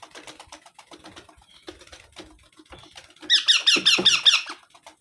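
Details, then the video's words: Soft rustling and tapping for about three seconds before a baby parrot bursts into six loud, harsh, buzzy squeaks delivered in quick rhythm. "Baby Parrot Sounds"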